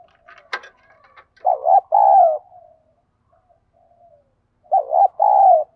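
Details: Spotted dove with a field-style 'thổ bầu' voice that provokes fighting, used as a decoy to lure wild doves. Two loud, low, hollow coo phrases, each a short wavering note then a longer drawn-out coo, separated by a pause, with a sharp click near the start.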